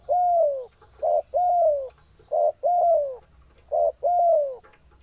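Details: Spotted dove in full breeding condition, calling eagerly: a short clipped coo followed by a longer, drawn-out coo that slides downward, the pair repeated three times within five seconds over a faint low hum.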